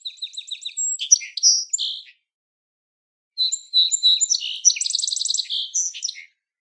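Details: Song Sparrow singing two songs, each opening with a few crisp, evenly spaced notes, then a buzzy trill and a jumble of varied high notes; nothing else audible.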